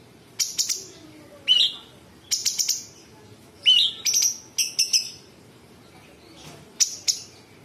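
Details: Sooty-headed bulbul (cucak cungkok) delivering sharp, varied mimicry phrases in its gacor tembakan song: high chips in pairs and triplets, interspersed with thin rising whistles, in uneven bursts over a faint low background hiss.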